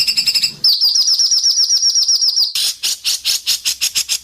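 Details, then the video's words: White-rumped shama in a judged Indonesian singing competition: quick high chips, then a run of clear whistled downslurred notes repeated about five per second, followed by loud buzzy strokes, 'masteran besetan' style. "Masteran besetan tajam!Langsung dikunci para juri"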